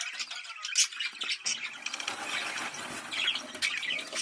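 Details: Mating sound of budgerigars, used to get pairs to breed: busy, overlapping chatter of chirps, scratchy notes and squeaks with a few sharp peaks, steady for several seconds without pauses.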